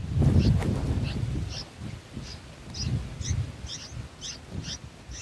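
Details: Bulbul chicks at the nest on day six, being fed. A rapid sequence of short, bright, two-tone chirps plays against heavy low wind rumble.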